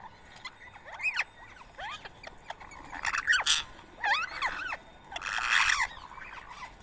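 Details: Rose-ringed parakeets gathered to feed on soaked boiled rice at 7 AM, 31 March 2024, Coimbatore, India; loud harsh rising-falling screeches repeated in bursts, some overlapping from several birds, with a rustling noise near the end.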